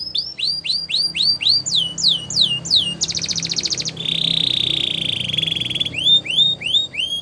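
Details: A Belgian canary sings for canary training: bursts of rising-then-falling whistled notes, a fast high buzzy rattle, a long steady piping tone lasting about two seconds, then more sweeping chirps.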